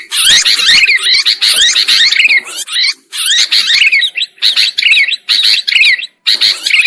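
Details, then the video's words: Sooty-headed bulbul lure sound used in bird trapping: continuous, overlapping buzzy chatter with up-and-down slurred notes, in long bursts broken by a few short pauses. "Suara Pikat Burung Kutilang Ampuh"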